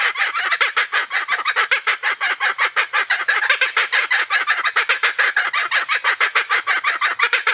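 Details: Kookaburras in full laughing chorus, a continuous stream of harsh, rapidly repeated cackles lasting the whole stretch, rough and evenly loud.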